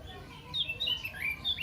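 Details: Caged sooty-headed bulbul, long kept beside an oriental magpie-robin, singing copied magpie-robin phrases; a fast run of high, sliding whistled notes with quick pitch jumps.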